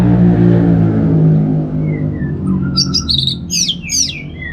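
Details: Orange-headed thrush in ngeplong song: soft descending whistles lead into dense, high, scratchy twittering phrases, all over a loud low hum.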